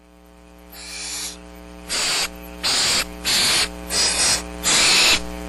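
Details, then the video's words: Barn owl owlets, seven still-downy young at Starr Ranch on March 6, 2010, waiting for food while rain hampers the adults' hunting: six harsh, broad hissing screeches, each under a second, with a steady electrical hum beneath. "STARR RANCH BARN OWLS - PATIENTLY WAITING FOR FOOD"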